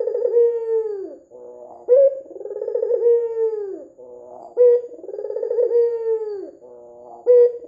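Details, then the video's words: White dove with red eyes, a lure recording meant to make other doves call; a deep, rolling coo near 500, starting with a sharp note, then a long warbled, slightly falling phrase, repeated about every 2.7 seconds. "PANCINGAN PUTER PUTIH MATA MERAH GACOR"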